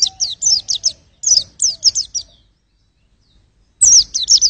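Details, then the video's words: White-eye chirping in rapid high runs used to test vocals, a faint lower whistle trailing beneath early notes, then a silent gap before a final loud burst. "pleci buat ngetes vokal"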